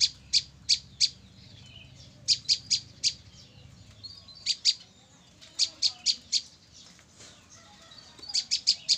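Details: A female olive-backed tailorbird, trapped three days earlier and already singing, gives loud, sharp, high notes in quick bursts of three or four, repeated every second or two against a quiet background.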